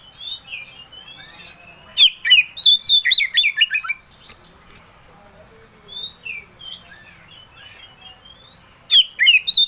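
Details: Oriental magpie-robin singing to provoke a rival bird: scattered bursts of sharp whistles and rapid chirps separated by quieter stretches with softer distant notes, plus a persistent high-pitched electronic tone.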